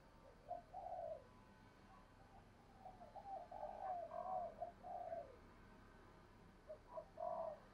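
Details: Spotted dove giving soft, low coo phrases, short notes followed by drawn-out ones, repeated several times against steady background noise.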